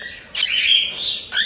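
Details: Cockatiel chicks about one month old, bred in Tokachi, Hokkaido, Japan, giving a continuous harsh, hissing begging rasp that starts abruptly and holds for about a second.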